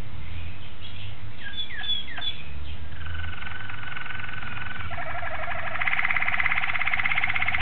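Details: Singing Malinois Waterslager canary from 26 October 2012: a few quick whistled slides, then a sustained rolling trill that grows louder and climbs into a rapid, bubbling higher roll, with steady low-frequency hum underneath.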